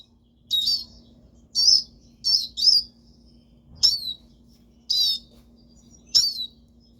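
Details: Pet siskin repeating short, bright, high chirps roughly once a second at an uneven pace, with a quiet low hum underneath.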